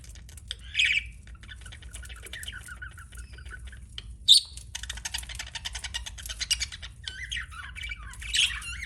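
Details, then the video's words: Soft chatter from pet budgerigars with three louder squawking outbursts spaced several seconds apart, over a steady low hum. "BUDGIE CHIRPING SOUNDS"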